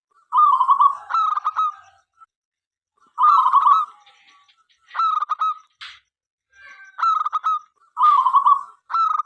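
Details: Song of a local zebra dove, used to prompt other doves to sing: short trilled coos alternate with bursts of quick staccato notes in repeated phrases, broken by a brief rustling noise.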